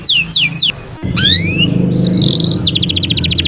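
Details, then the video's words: Canary singing Taghreed-style song for training young birds: descending whistled sweeps, rising slurred notes, a steady buzzy tone, then a fast rattling trill, with low hum beneath. "Canari Taghreed pour dresser les poussins"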